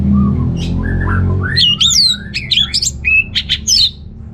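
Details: Orange-headed thrush (Geokichla citrina), song: stimulating males lacking breeding drive.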